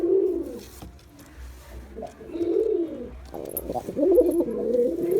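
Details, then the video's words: Low rolling coos from a displaying male Girabaj pigeon, a quiet gap then a long bubbling phrase building into a louder, wavering finish. "Pigeon Sound Effect || Male Pigeon Super Performance || Girabaj Pigeon"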